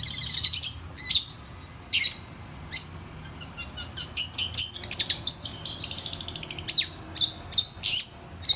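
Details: Singing cendet (long-tailed shrike) delivering scattered sharp high notes that build into a dense chattering run of quick clicks and chirps, ending with several loud spaced downslurred calls.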